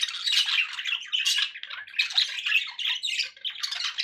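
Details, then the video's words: Brief burst of budgie chatter, grating squawks and fast rasping warbles running almost without pause through four seconds. "1 hour of budgie sounds"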